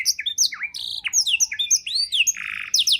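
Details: Canary singing a rich training song for songbirds, mixing sharp downward whistles, V-shaped slurs and a steady buzzy note near the end.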